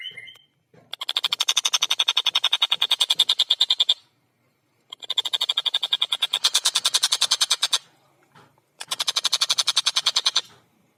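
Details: Long-tailed shrike (tengkek buto) in full, clear song. Three long bursts of rapid, rasping, buzzy notes, each lasting two to three seconds, with brief silent pauses between them. A short whistle opens the sequence.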